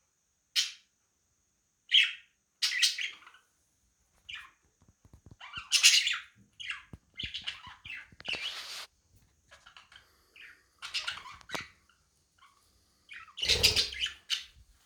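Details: A budgerigar that wants to be left alone while two other budgies pester it gives short, scratchy chirps and squawks in irregular bursts with pauses between.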